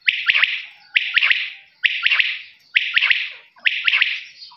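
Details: Quail calling steadily, each phrase three sharp whistled notes close together, 'whit wit-wit', repeated about every second, five phrases in a row with silence between them.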